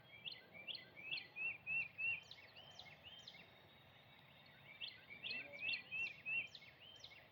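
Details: Sunrise on Easter Sunday with birds singing: quick runs of bright, upslurred whistles repeated in two bursts, separated by a quieter pause, with faint distant background noise.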